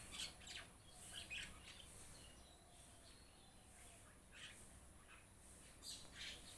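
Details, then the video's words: Several mynas from a flock calling with scratchy, squeaky chirps in irregular clusters, some notes sharp and bright, against a steady background hiss. "এজাক শালিকা চৰাই Myna Birds"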